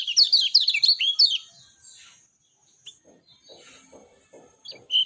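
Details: Clear natural song of a lemon-bellied white-eye: an energetic phrase of quick, high slurred notes for just over a second, followed by near-silence with scattered faint chips and a final bright note.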